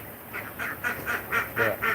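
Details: Domestic farm ducks quacking on an agroforestry farm: a run of seven short, nasal quacks about every quarter second, getting louder toward the end, over a faint background hiss.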